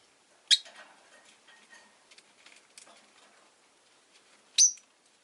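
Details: Caged rosy-faced lovebirds, five kept together by a window on a relaxed afternoon, give two sharp high chirps about four seconds apart, separated by soft faint rustling and ticking.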